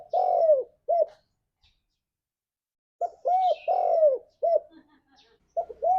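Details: Spotted dove (tekukur) song in 'ngalas' style, meant to get a kept dove singing: soft hollow coos with a dipping, arched shape, given in short groups separated by a two-second silence, with a faint higher chirp behind.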